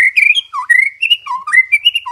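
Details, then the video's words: A bird sings a lively warbling phrase of clear whistled notes, jumping between higher and lower pitches with quick slurred twitters. "Bird singing so nice"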